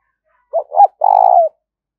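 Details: Spotted dove calling with 'gáy thúc' and 'gáy gọi' calls, for exciting and training decoy birds. Two short low coos precede a long, rolling, slightly descending coo. A faint high chirp sounds in the background.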